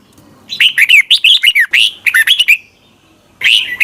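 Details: In Thailand, a red-whiskered bulbul sings its doubled song, meant for young birds to copy: a long run of quick liquid, slurred notes for two seconds, a pause, then another phrase starting.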